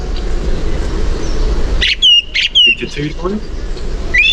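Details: Song thrush song, verses repeated two to four times: loud, clear whistled phrases slurring downward in quick repeated bursts, over a low background hum with a human voice.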